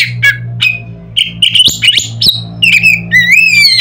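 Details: Oriental magpie-robin belting out a varied provoking song: quick jumbled chirps, buzzes and piping notes building to long rising whistles, with a steady low drone behind.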